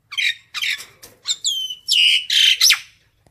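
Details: Common myna calling the flock with a handful of loud, harsh squawks and chattering notes. A drawn-out whistled note glides downward near the middle.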